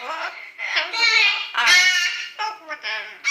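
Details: Pet yellow-naped amazon parrot indoors practising the pop song "Little Apple" while dogs protest: voice-like, richly harmonic sung phrases rising and falling, with loud bursts and short pauses.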